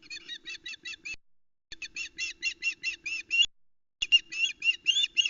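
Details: At a Loch Arkaig osprey nest on 17 July 2020, the female shouts as her mate brings the day's second fish: three rapid runs of piercing, ringing cheeps, five to eight notes each, split by short silences, with a constant low drone beneath.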